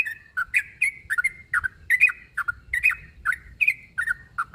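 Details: Fighting-mood call of a yellow-vented bulbul (trucuk), aimed at a rival: quick bubbly chirps, often paired, delivered rhythmically at just over one per second over a low background rumble.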